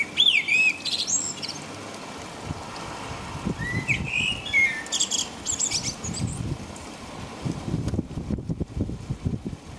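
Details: Blackbird singing at night in the rain in England near 5 a.m.; a high thin opening gives way to soft, rich warbled whistles, then rain patter and low background rumble fill the rest.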